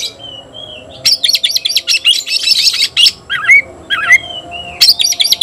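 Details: White-rumped shama, a cage bird, calling out a rival to fight: dense high chattering bursts mixed with clear rising whistled notes and slurred descending phrases, repeated in quick succession.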